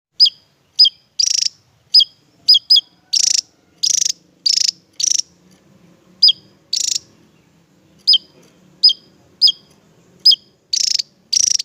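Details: Javan tesia, a bird sought as a song tutor for other songbirds, singing: sharp, high, explosive notes alternate with short, rapid, buzzy trilled bursts, given about every half second in an uneven series over a faint low hum.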